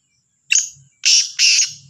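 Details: Harsh morning call of a Black francolin from Sahiwal, a series of loud scratchy notes, one short then a doubled grating phrase, with a faint low hum beneath.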